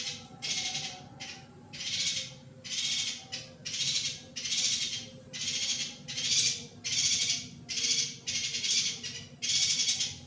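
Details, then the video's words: A female yuhina gives harsh, hissing, buzzy bursts, each about half a second long, repeated steadily about once a second over a faint low hum; used as a tutor recording said to arouse male yuhinas. "YUHINA BETINA cocok untuk menaikan birahi YUHINA JANTAN"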